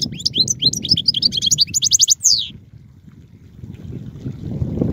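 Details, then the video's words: European goldfinch singing: a quick run of tinkling, twittering high notes and trills for about two seconds, followed by low background rumble. "Chant d'oiseau - Chardonneret"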